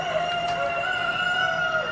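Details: A backyard rooster on a rainy day gives a long, drawn-out crow that holds a steady, harsh tone for about two seconds, with faint rain or background noise beneath and other angry roosters nearby.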